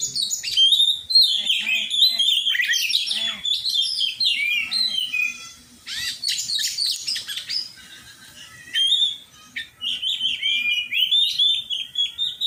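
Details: Oriental magpie-robin in song training, sustained rich whistled song with trills and slurred notes, a noisy chattering burst midway, then more steady whistled phrases.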